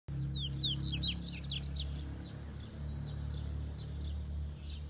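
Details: A double-collared seedeater at Itaguaçu, ES, sings a fast burst of high, sharp twittering notes, then fainter repeated chips, over a steady low hum.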